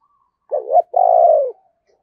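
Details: Spotted dove used as a decoy bird, calling to lure wild doves: a short doubled coo followed by a longer, smooth, slightly falling coo, in an otherwise quiet setting.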